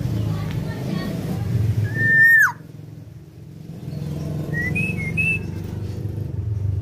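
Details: Tame female black-naped oriole with vigorous song: one loud, clear, level whistle falling abruptly at its end, then quieter short whistled notes over a steady low hum.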